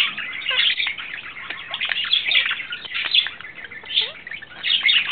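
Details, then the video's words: A male pet budgerigar in love, recorded in April 2009, warbles without pause in a fast, scratchy chatter of clicks, chirps and squeaky whistles, with short rising notes mixed in. "Wellensittich-Männchen Timmy verliebt"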